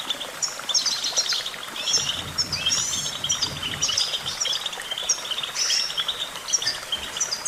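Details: Goldfinch song for training young birds: a dense, cheerful twitter of rapid chirps, short trills and buzzy slides, steady throughout, over a soft low background hum.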